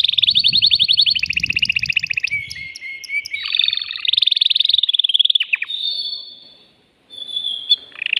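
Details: Excited male canary singing to prepare a female for mating: loud continuous rapid trills and rolls at high pitch, with a low background rumble early, a short pause, then song resumes.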